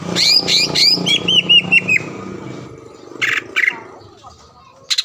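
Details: Green leafbird song used as a lure to provoke a rival to sing: fast rising whistled slurs and a row of short notes, then pauses with a few loud buzzy bursts.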